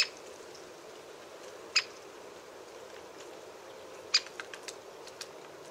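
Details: Great spotted woodpecker calling: two abrupt, sharp single 'kik' notes roughly two and a half seconds apart, crisp and high, with soft clicks and constant hiss in between.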